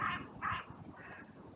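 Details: A crow in a sunny cemetery calls during an outcry that followed a brief fight between two crows. Two loud, hoarse caws come in quick succession, then a fainter, softer caw.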